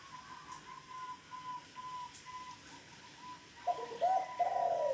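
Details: Local zebra dove of the 'Kong' song style: a steady faint tone runs throughout, then near the end a burst of low, rolling coo notes.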